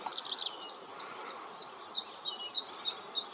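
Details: Red avadavats gathered in a large mass, giving a dense, continuous chatter of thin, high-pitched chirps and tinkling notes that overlap without pause.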